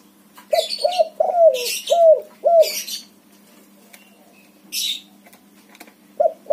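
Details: Spotted dove of a white colour form, called backspot, singing strongly: five quick husky coos in a tight burst, mixed with sharp high chirps of small birds, then a quieter gap and one more coo.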